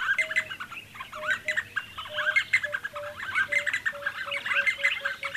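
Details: Several D'Arnaud's barbets near Lake Baringo calling together, producing a busy, rhythmic jumble of chirping, bubbling notes over a string of short level whistles repeated about twice per second.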